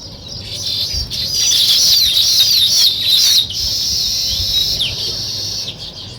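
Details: Weaver birds constructing nests produce a busy, high, squeaky chorus of looping twitters and whistled slurs, steady for most of the stretch with a few soft thumps.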